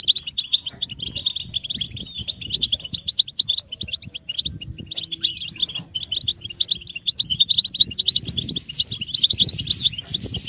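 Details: European goldfinch group twittering, meant to stimulate caged males to sing; fast, tinkling chirps pour out continuously with uneven surges, over a low rumbling background noise.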